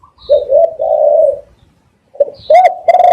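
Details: Spotted dove cooing, as used to lure doves: a low, hollow coo drawn out for about a second, then after a short silence a brief note and a louder, fuller coo rolling into the next.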